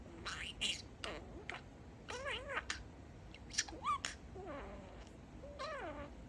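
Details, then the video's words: Male budgerigar talking, whose favourite phrase is "Peeka-boo": rapid wavy warbled syllables, buzzy bursts and ticking clicks, then a final rising and falling whistled glide. "Talking Parakeet"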